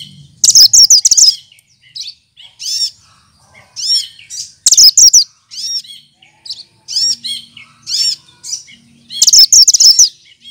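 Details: Green leafbird (cucak kinoy) kept as a tutor bird for other songbirds, known for mimicking other birds: bursts of high, rapid, sweet chirps and looping whistles, each cluster under a second, separated by short pauses.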